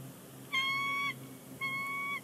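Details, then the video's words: Bald eagles at a Big Bear Lake nest, calling before leaving it, January 30, 2020; two drawn-out, flat, piping whistles of about half a second each against low hiss. "Big Bear Lake eagles; chatter on the nest."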